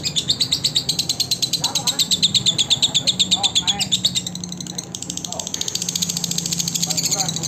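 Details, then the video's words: Lovebird chattering for training other lovebirds, a dense run of high, fast repeated chirps that dips quieter around the middle before resuming, with faint lower sounds and a steady background hum. "SUARA BURUNG LOVE BIRD COCOK UNTUK MASTERAN SEMUA BURUNG LOVE BIRD"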